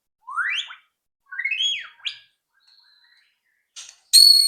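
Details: Used to coax other shamas into song, a white-rumped shama gives clear rising whistles and a sweeping slurred phrase, then a faint thin tone and a harsh buzzy burst at the end.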